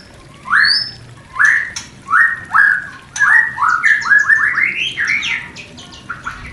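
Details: Mating song of a White-rumped shama, played to spark breeding desire in new pairs: loud rising whistled notes repeated about every half second, then a faster run of stepped, climbing whistles.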